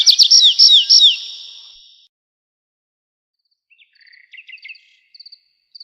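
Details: Nightingale song: a quick burst of loud, high, repeated whistled notes sliding downward, lasting about a second, then a pause followed by softer, scattered high chirps and short trills.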